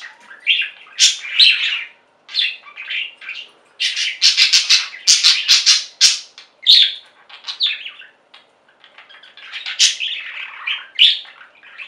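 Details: Singing budgerigar flock with loud, dense chattering: sharp clicks, buzzy squawks and high chirps in rapid runs, broken by a couple of brief quiet gaps.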